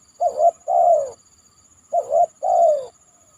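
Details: Spotted dove (tekukur) calling from a banana trunk after heavy rain, a lure call: twice a short upturned coo then a long, loud coo dropping in pitch, the phrases spaced under two seconds apart.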